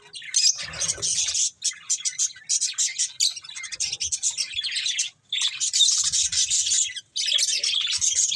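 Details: Dense budgerigar chatter of buzzy, high, rasping warbles and squeaks running almost continuously, with two brief breaks.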